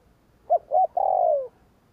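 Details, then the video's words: Spotted dove in 'gù kích' provoking coo: two quick, low hooting notes followed by a long, smooth coo that slides gently downward and fades, in quiet surroundings. "Tiếng cu gáy gù kích chuẩn / Chim cu gáy gù kích bổi chuẩn nhanh nổi / Cu gáy gù phóng"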